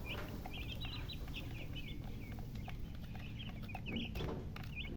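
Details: Baby chicks calling in a crowded chorus of high, thin peeps, some rising and falling within one note, over a loud broadband hiss and low rumble.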